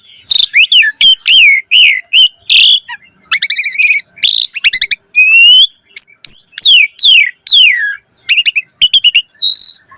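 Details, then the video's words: Asian pied starling singing a rich varied song meant as a lure for other starlings: dense bursts of sharp whistled and buzzy notes, down-slurred phrases and quick stuttered chirps in rapid succession. "Suara Jalak Suren Gacor Full Isian Auto Respon buat Pancingan Burung Jalak Agar Gacor Isian Mewah"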